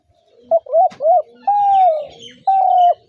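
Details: Spotted dove coos: two short, soft hooting notes followed by two longer, level, mellow coos, low-pitched and unhurried, against a quiet background.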